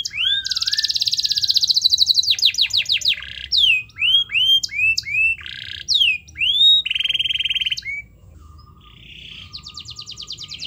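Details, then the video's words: Singing canary used as a trigger for reluctant birds: a long rolling trill, then a sequence of varied upslurred and downslurred whistles, a flat sustained buzzy note, and a soft low whistle before a fine rapid trill. "Pancingan Kenari MALAS BUNYI Agar Bunyi"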